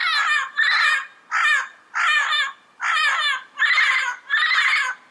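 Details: Yellow-headed parrot in its natural habitat calling in a steady series of seven loud, grating squawks, each short and harsh, delivered roughly every three quarters of a second.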